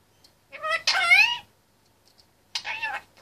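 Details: Caged male Indian ringneck parakeet aged 25 months, chatterbox mimicry: a drawn-out nasal, wavering syllable run, loud and speech-like, followed by a shorter similar phrase after a second's pause.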